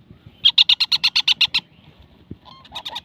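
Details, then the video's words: A young baby parakeet gives a rapid run of about ten harsh, high chirps in just over a second, then a pause before another quicker burst of squeaky notes. "ছোট বাচ্চা টিয়া পাখি"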